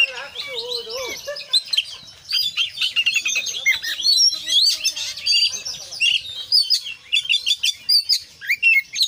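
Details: Kacer (Oriental magpie-robin) in full isian song: opens with a low warbling phrase, then a dense cascade of high whistles, buzzy trills and clicking notes, growing louder and more rapid toward the end.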